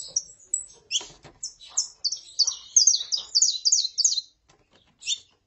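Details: Male saffron finch singing alongside a calling female: a fast run of high, sharply falling notes, about three per second, building into a dense stuttering phrase before a last lone chirp.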